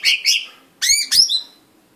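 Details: Blue-winged leafbird uttering four short calls: two buzzy, rasping notes followed by two clearer harmonic notes with a rising then falling shape, each lasting about a quarter second.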